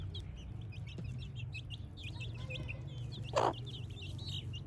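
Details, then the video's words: Chicks peep continuously on a village morning, short high notes repeated quickly by many birds, with one loud harsh burst near the end and a low droning background. "Cute Chicks Chirping Sounds"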